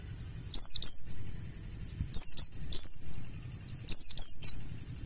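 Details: Buxtoni mountain white-eye lure recording: clusters of two or three thin, high, downslurred notes repeated roughly every one and a half seconds.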